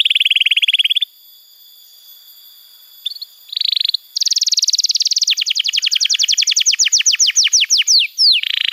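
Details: Canary song meant to train young canaries and prompt silent ones: a buzzy rattle, a pause with short buzzy bursts, then an extended rapid trill of falling notes that loosens into slower, separate downslurs.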